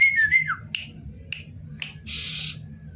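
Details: A Common Iora (cipow) at night gives a brief wavering whistle that slurs downward, followed by three sharp clicks and a harsh buzzy burst.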